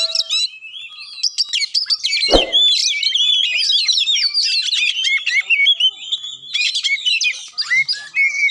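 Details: Lively Oriental magpie-robin song, used to make a silent bird start singing: rapid, varied whistles and chattering notes pour out almost without pause, with one short thump early on.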